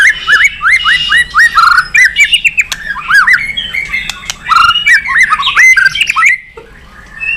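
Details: Energetic White-rumped shama song meant to provoke other birds to sing: a fast run of repeated upslurred whistled notes with sharp ticks, continuous for several seconds, then a brief pause and one further note.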